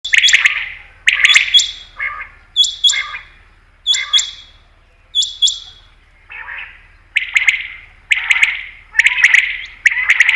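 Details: Common quail call, possibly from a female, used as a lure for quail hunting: short, harsh, chattering bursts, some opening with a high clipped note, repeated in pairs and then singly about once a second.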